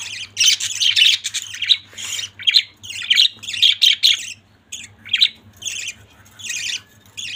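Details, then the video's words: Family of budgerigars chattering in bursts of harsh, buzzy squawks and chirps, clustered in quick runs separated by short pauses, with a steady low hum underneath. "Beautiful budgies family"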